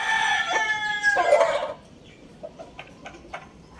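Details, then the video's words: Loud rooster crow lasting over a second and a half, rich and ringing with a rough break near its end, followed by quieter scattered clucks. "Rooster Crowing Compilation | Rooster Crowing Sound Effect"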